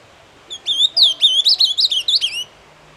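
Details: Ultramarine grosbeak delivering a doce amargo song: roughly a dozen bright, clear whistled notes in quick succession, each bending up or down, forming a two-second warbled phrase with little background noise.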